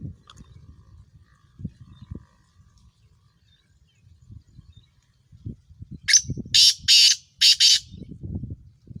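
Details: Black francolin, called Kala Tetar, a Sindhi Sheedi Chiringa cross bird, giving a loud harsh grating call of four to five rasping notes near the end, after quiet low rumbling background noise.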